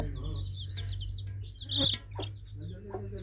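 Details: Baby chicks peeping: bright, rapid down-slurred chirps in the first second, then sparser peeps and a louder call, over a constant low droning hum.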